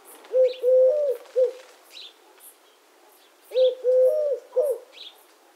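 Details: Two clear three-part coos of a Eurasian collared dove, low and rounded with the long middle note slightly rising, accompanied by light high twitters of other birds.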